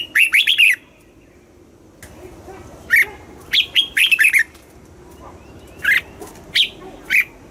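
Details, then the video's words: Caged red-whiskered bulbul singing the southern master style, used to stimulate other birds and train chicks: clipped, liquid whistled phrases arrive in short clusters, a rapid opening run followed by spaced single notes and small groups over seven seconds. "เสียงนกกรงหัวจุก สำหรับต่อ หรือ เปิดให้นกคึก เสียงเพราะๆ"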